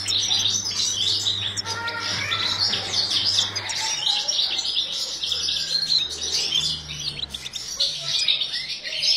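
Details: Aviary-bred European goldfinch in breeding season delivering a continuous, lively twitter of high tinkling notes and short trills, over a low droning hum.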